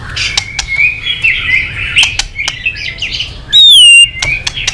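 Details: White-rumped shama singing energetically with mimicry fill-ins, meant to provoke other shamas into song: a buzzy, scratchy warble of mixed notes, clicks, then one loud pure wavering whistle and a short buzz.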